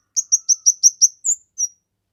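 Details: A kemade in lively song, used as master material and as a lure. Six evenly spaced, shrill, high chirps, then two longer whistled notes. The background is clean.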